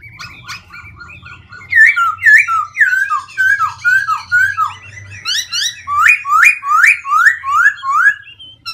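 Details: Black-throated laughingthrush singing and continuously changing its voice: a fast stream of loud whistled and slurred notes, swooping and falling, some repeated in quick series, with varied harsher chirps mixed in and a low hum behind.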